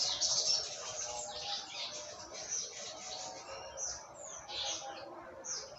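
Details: Olive-backed sunbird from Jogja, morning 'trotol ngalas' singing used to tutor other songbirds: quieter high-pitched chattering and short squeaky notes, with low murmuring background.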